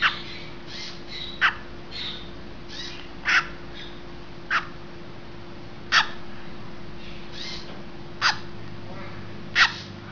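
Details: Great green macaw, heard around a hatching, gives short, harsh, raspy squawks, about seven spaced irregularly every one to two seconds, over a steady low mechanical hum.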